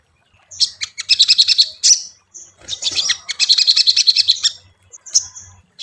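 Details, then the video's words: Crimson Sunbird lure song for training caged birds: bursts of rapid, high, rattling chirps separated by short pauses, with a faint low hum underneath. "SOGON PANCINGAN mp3 Cocok untuk melatih mental sogon lekas bunyi"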